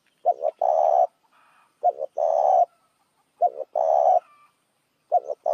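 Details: Spotted dove calling as a lure for other doves: a low coo phrase repeated about every 1.6 seconds, each a short double note followed by a long, even coo.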